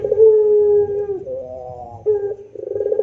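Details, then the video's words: Puter pelung dove in rintihan style: a long, flat, low coo gliding into a slightly higher wavering note, then rapid stuttering purrs that build into the next phrase. A low rumble sits underneath. "Masteran Rintihan Puter Pelung Gacor Istimewa Bikin Puter jadi Rajin bunyi"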